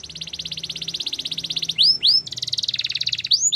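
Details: Canary training song: a long rapid high pulsed trill, broken by loud upward swoops, then a lower double-toned trill and more swooping notes.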